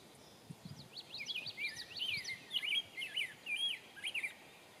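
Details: A grosbeak in Broome County, New York, on 3 May 2024 gives a quick, sweet warble of rising and falling whistled notes lasting about three seconds, with a couple of soft low thumps at the start.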